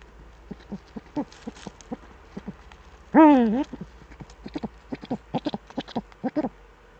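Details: Eurasian eagle-owls duetting, male at the nest, Eifel, Germany, on a December evening in 2013: one loud drawn-out call that dips and rises, set among scattered quieter short hoots and clicks.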